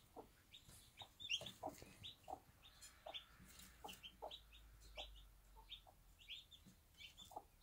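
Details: Backyard bantam hen tending one-day-old chicks, clucking softly and irregularly beneath a steady stream of thin high chick peeps, with low background rumble.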